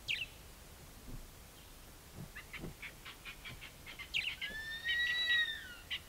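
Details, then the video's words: Juvenile Verreaux's eagle-owl in Kruger National Park gives a drawn-out, wheezy whistle falling slightly at the end, following a run of short, high chirps. "Juvenile Verreaux's eagle-owl calling"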